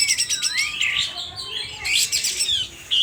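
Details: Sooty-headed bulbul from Aceh, worked up and fanning its tail, gives loud, continuous high chatter with gliding slurred notes and a brief lull in the middle.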